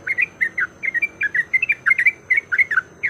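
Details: Yellow-vented bulbul giving a fighting-style song meant to provoke other bulbuls into singing. Quick bubbly phrases of two or three slurred notes follow each other closely, bright and chattering.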